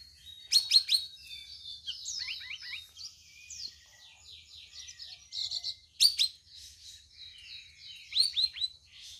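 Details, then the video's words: Sooty-headed bulbul on its fourth day of care, already answering other birds on an overcast day when birds are less lively; sharp high chirps and quick runs of short downslurred whistled notes, amid dense chirping from other birds. "CUCAK RAWIS HASIL RAWATAN HARI KE-4 LANGSUNG BISA NYAUT"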